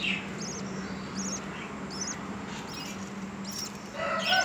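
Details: One-day-old budgerigar chicks give thin, high squeaks roughly twice a second while begging and being fed by their parents.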